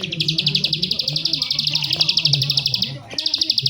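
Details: Bar-winged prinia, known locally as prenjak sawah, delivering a rapid high-pitched trill of sharp repeated chips, about four per second, sustained with a brief break near the end; low hum and faint speech underneath.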